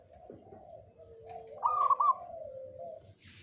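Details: Zebra dove of the local Jogoboyo type: quiet, low coos from other doves, broken midway by a single loud, rolling, stuttered coo phrase, followed by a sustained lower coo.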